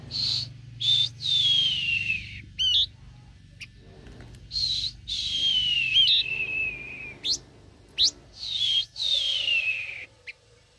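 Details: A very tame captive blue-winged minla gives high, thin whistled phrases that slide downward, each about a second long, repeated with short pauses, with a few quick chirps in between.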